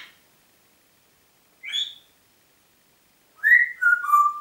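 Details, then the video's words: Pet Congo grey parrot recorded in Diebach near Hammelburg, Germany, April 2012: a short upward-sliding whistle, silence, then a descending sequence of three whistled notes stepping lower. "Kongo-Graupapagei pfeift pfeifen"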